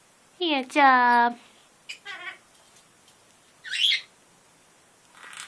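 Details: Pet military macaw, a hormonal male territorial on top of his cage and bluffing: one loud, buzzy, rasping squawk, then softer short grating notes and a brief noisy burst.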